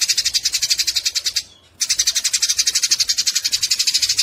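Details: Harsh, rapid chattering from fighting Eurasian tree sparrows, meant for tutoring songbirds: quick scratchy pulses, a short silent gap at mid-clip, then the same fast, high chatter returns.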